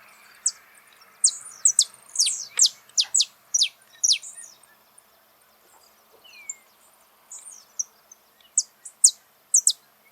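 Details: Saffron finch recorded live in nature, singing a run of sharp, high descending chirps in loose bursts, with quieter gaps and one softer slurred note midway; faint background hiss.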